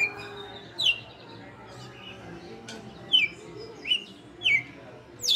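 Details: Red-cowled cardinal kept in captivity for five years gives its açoite song: bright, abrupt downward-slurred whistles, five or six notes separated by short pauses, against quiet room noise.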